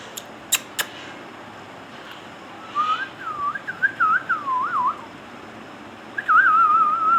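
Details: Indian ringneck parakeet kept indoors: a few sharp clicks, then a run of wavy, warbling whistled notes rising and falling, ending in a long, steady, slightly falling whistle; quiet room background.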